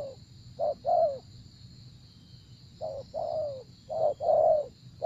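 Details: Spotted dove giving paired coos, a brief note then a longer down-slurred one, in three groups separated by pauses, over a constant high-pitched hum.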